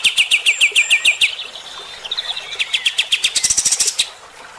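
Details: Bulbul giving rough 'tembakan' song to provoke fighter birds: rapid sharp notes sliding downward, a few drawn-out whistles, then a denser, higher chattering run.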